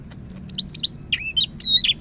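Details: Greater green leafbird of Medan, North Sumatra, a favourite Indonesian songbird, in loud rhythmic song: two sharp high chirps followed by slurred whistled phrases, rising then level, over a faint low hum.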